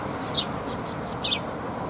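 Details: Sparrows gathering for food at a Tenmangu shrine, 30 October 2021, give a brief run of five sharp high chirps spaced close together against a low murmuring background.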